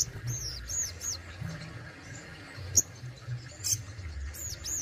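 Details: Captive Indonesian Crimson Sunbird (sogon) giving thin, high, arched whistled notes in quick pairs, then a sharp tick or two before another pair of arched notes, over soft low background noise.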